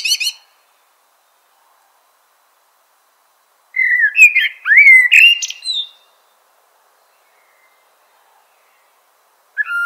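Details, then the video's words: Eurasian blackbird singing: a brief high twitter opens, then after a long pause a mellow fluted warble of low whistled notes rising into a thin squeaky twitter, with one more fluted note starting at the very end. "Eurasian Blackbird Call Song Sound"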